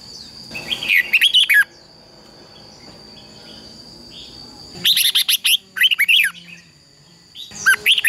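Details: Competition singing of a red-whiskered bulbul meant to spur other birds: three loud bursts of quick warbled, chirping notes separated by quiet gaps, over a constant faint high tone.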